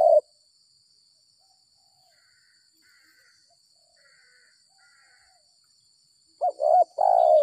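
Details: Spotted dove, taken by trappers after rain, with the stuttering 'gagap 6 mata' six-note coo. One mellow coo opens, then a long quiet gap with faint distant chirps, then a broken, stammered coo phrase ends the stretch. A constant high tone hums throughout.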